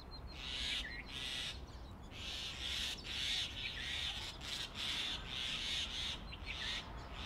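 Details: Male grey hornbill regurgitates ficus berries and a lizard to feed the female enclosed in their hollow tree nest, Delhi, summer. A continuous chain of loud, piercing squeals, roughly two per second, with a few short gaps.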